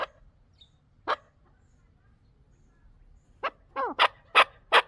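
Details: Chukar partridge giving isolated harsh chuck notes, then a rapid run of loud clucks with one wavering, bending note near the end. The background is otherwise quiet.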